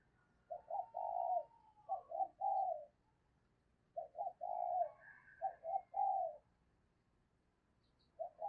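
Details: Lure spotted dove cooing to attract wild birds. Three-part phrases of short rising hoots and a drawn final coo repeat about every three seconds, with a faint higher note between phrases.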